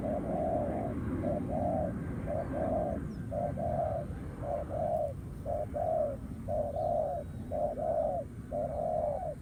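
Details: Wild spotted dove cooing back at a trap decoy on the ground, in a combative contest; a run of about nine low, rounded double coos, each a short note followed by a longer one, evenly spaced about once a second.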